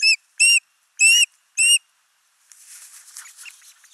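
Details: Osprey family at a camera-watched nest in Finland, 29 June 2024: father brings a big live fish, mother feeds the single chick. Four sharp, shrill whistled calls in under two seconds, then soft rustling and flapping noise.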